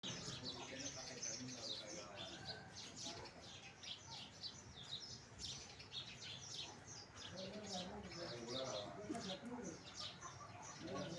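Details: House sparrow chirping, with dense, overlapping short chirps repeated rapidly throughout, as if several birds call together, over lower murmuring that may be voices in the background.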